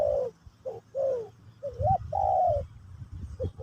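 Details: Spotted dove, Terkukur Pesom or Kacuk, singing in a session to teach a new bird; soft coo, a pair of short notes, a rising hooked note, then a long sustained coo, over faint low hum.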